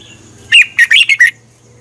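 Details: Red-whiskered bulbul, a Thai songbird, singing a recording meant for training birds to copy or to excite them: one brisk phrase of five loud, clear whistled notes that waver and drop, over a faint steady hum.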